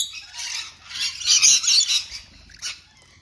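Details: Feeding rainbow lorikeets on an apple give a swelling run of harsh, shrill squawks peaking mid-way, then fading to a single short screech.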